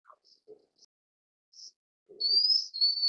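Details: Blue-winged minla: a few scattered soft, high notes in near silence, then a clear, high, level whistle lasting about a second at the end.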